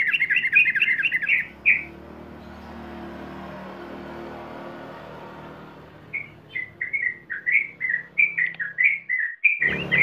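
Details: Yellow-vented bulbul in a long lure recording meant to prompt other bulbuls to sing continuously: quick, bubbly, chirping phrases in a fast run, a pause over low rumbling hum, then a lively chattering stream resumes.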